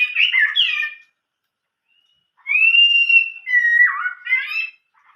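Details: Chinese hwamei singing in old-forest style: a loud jumbled warble, then a long level whistle sliding into a lower dipping note and a rising, bright, tumbling phrase.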